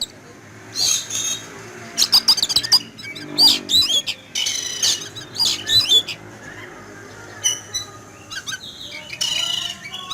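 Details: Frightened Oriental magpie-robin, caged and placed outdoors in the morning sun, after seeing an eagle fly past: loud grating squawks and clipped high notes in irregular bursts separated by short pauses.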